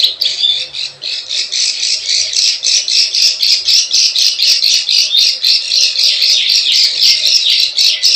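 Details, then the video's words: Harsh, rasping plain prinia chatter used as a wild-bird lure in the klik klik ciwah style, notes pulsing about four times a second, sounding somewhat raw and squawky. "SUARA PIKAT PRENJAK SAWAH_KLIK KLIK_CIWAH"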